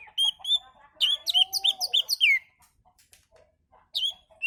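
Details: Relaxed Oriental magpie-robin song used to lure other birds: clear whistled notes, then a rapid burst of bright rising and falling whistles with harsh overtones, a pause with soft notes, and renewed whistles at the end.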